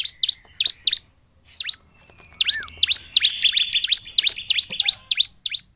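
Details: Persistently singing 'gacor' bar-winged prinia, a lure to trigger other prinias to sing: quick high chirps in bursts separated by brief pauses, with a lower slurred whistle near the middle, then a dense, rapid run of notes.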